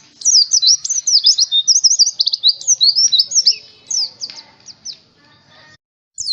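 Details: Oriental white-eye song for stimulating caged birds: a fast series of high, looping slurred notes and quick trills for about four seconds, tapering into scattered chips, a short silence, and a final burst.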